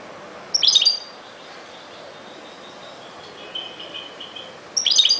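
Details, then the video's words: European goldfinch song in two brief bursts of sharp, high twittering, with softer thin notes in between and a steady faint background hiss. "chant de chardonneret"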